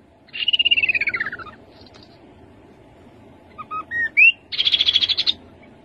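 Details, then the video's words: Song of a rufous-capped babbler: a rapid pulsed trill dropping steadily in pitch, silence, then soft piping notes and a sharp rising whistle followed by a high, steady buzzy trill. "Khướu bụi đầu đỏ. tiếng khướu đầu đỏ"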